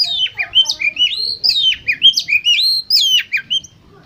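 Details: Oriental magpie-robin lure song for competition birds, a continuous cascade of varied whistles, some sliding high and sharply down, others rising warbles, repeated in lively phrases before fading.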